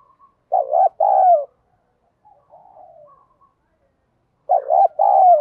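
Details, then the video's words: Spotted dove with the "thổ bầu" voice, used as a lure for wild doves and to provoke fights. Two strong low phrases, each a quavering coo plus a longer falling coo, come four seconds apart, with faint murmuring between. "chim cu gáy giọng đồng thúc đấu, dùng bẹo bổi thì hiệu quả nhất"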